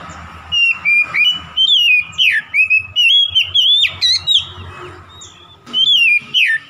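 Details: Oriental magpie-robin song used as a quick lure to provoke a rival: loud, varied whistled phrases, sliding and warbling notes in bursts with brief pauses, a short gap near five seconds, then more whistles.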